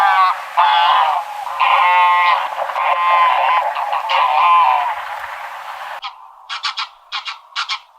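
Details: Loud, drawn-out greylag goose honks rich in overtones for six seconds, followed by a short series of brief, sharper notes.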